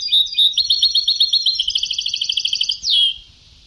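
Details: European goldfinch in an old Sebtawi song recording delivers a steady, rapid string of high tinkling notes, about four per second, closing with a bright drawn-out slurred note.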